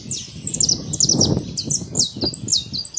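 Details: Free saffron finch in nature singing a brief burst of high, downward-slurred chips, partly accompanied by low rumbling background noise.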